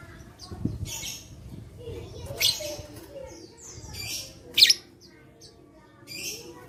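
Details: Lovebird voice used to stimulate other lovebirds, recorded 11/4/21; uneven shrill chirps and squeaks roughly twice a second at peaks, one especially sharp screech near the end.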